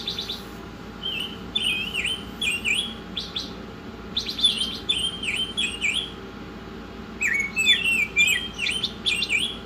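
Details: Oriental magpie-robin singing a lively run of clear whistled notes, some slurred downward and others swept upward, mixed with rapid buzzy trills and very high squeaky notes in quick bursts, over a steady low hum.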